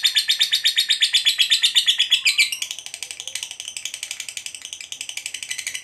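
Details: Fighter lovebird in long ngekek chatter, a provoking song that sets other lovebirds singing: very fast shrill rattle of about four notes per second, loud and slightly falling for two seconds, then continuing softer and buzzier.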